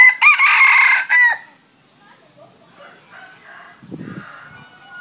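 A red junglefowl gives one loud, brassy crow lasting just over a second and ending abruptly, then soft low clucks and faint background chatter.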